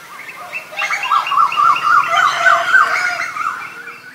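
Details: An Asian koel gives a loud, fast string of short clipped notes, each sliding upward, repeated several times a second for roughly three seconds before fading.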